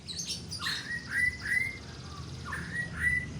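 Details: White-rumped shama giving clear, sustained whistled notes at a steady mid pitch, each starting with a short upward slur, spaced roughly half a second apart, after a brief burst of higher chatter, over low steady background hum.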